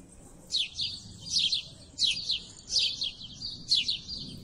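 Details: A flock of house sparrows gives clear, repeated chirps: sharp, downslurred notes in pairs and triplets, about one burst every half-second to second, over a soft outdoor hum.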